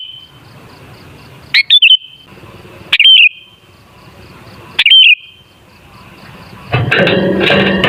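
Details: Sooty-headed bulbul singing to lure other bulbuls into song: three short whistled warbling phrases over about five seconds, followed by a sudden loud burst of broad rustling noise in the last second.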